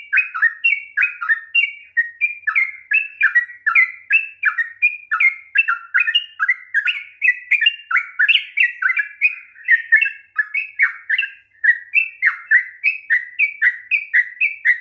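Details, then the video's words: Sooty-headed bulbul song meant to stir a lazy, reluctant bird into singing: continuous lively chattering phrases of quick rising and falling notes, with dense overlapping notes through the middle and no other sounds. "kicauan TRUCUK ROPEL PANJANG// perangsang bunyi trucukan malas bunyi"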